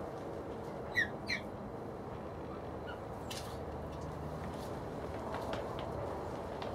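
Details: A common pheasant, possibly a hybrid with a copper-coloured game pheasant, gives two harsh, explosive squawking notes in quick succession, followed by a soft rustling burst, over steady background hiss.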